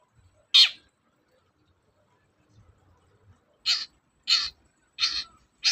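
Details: Long-tailed shrike, lure for shrikes reluctant to sing: one loud rasping squawk, a pause, then four quicker, slightly lower and coarser harsh notes about half a second apart.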